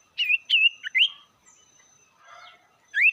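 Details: Sirtu bird used as a lure to provoke rival birds: loud whistled notes, each rising then falling around a steady pitch, four quick phrases in the first second, a pause, then one rising whistle.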